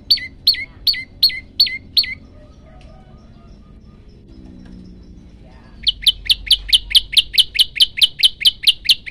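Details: Prenjak lumut, described as hungry and in full voice: a burst of six hooked high chips, a pause of quiet background, then a long rapid train of bright chipping notes at an even pace.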